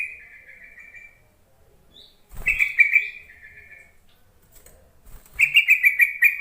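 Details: Call of a yellow-vented bulbul used to stir reluctant bulbuls into singing: fading buzzy trill, silence, then a loud bubbling chatter drawn out into a buzz, and a final rippling burst of notes.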